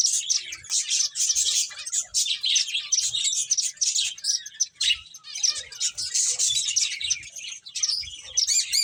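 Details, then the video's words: Several finches chirp busily and continuously in a dense chatter of high, short twittering notes that overlap with hardly a pause. "Cute Birds Chirping Sounds | Beautiful Finches Playing"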